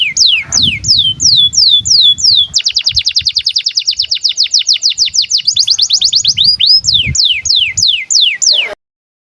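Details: Breeding-condition canary singing to tutor young birds: slower descending whistled sweeps, then a long rapid trill of downward notes, ending with more spaced falling whistles before cutting off.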